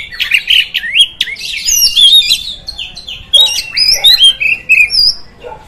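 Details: Oriental magpie-robin song to provoke rival magpie-robins; varied whistled phrases with quick slurs and trills, a short pause, then a series of bright repeated whistles and chatter.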